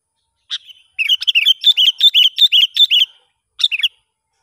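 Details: Wild sooty-headed bulbul during a lure-bird test, with a single sharp note followed by a lively, rhythmic string of chirpy, bouncing notes lasting about two seconds, then one more short chirp; otherwise quiet.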